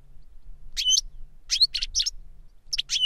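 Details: Brief bursts of bright, tinkling goldfinch chirps from an older bird teaching a younger goldfinch, separated by short silences.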